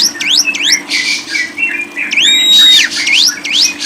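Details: Lovebird producing upward-sliding squeaks and a long drawn-out whistled note held near the middle, mixed with rough buzzy bursts.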